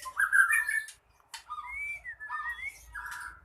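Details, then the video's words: Ekor pendek songbird, a contest bird, in fierce song meant to provoke rivals into fighting. A loud harsh burst is followed by a pause, then clear sliding whistles and buzzy phrases. "Ekor pendek ngamuk,dalam hitungan detik burung anda pasti ikut tarung"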